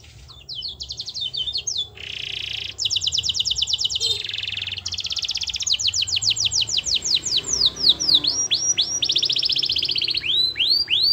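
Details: Lively gacor canary song, played to push a reluctant canary into answering: a continuous stream of rapid rolling trills, buzzy tours and steady high notes, changing tempo repeatedly and closing with clipped, downward-swooping whistles.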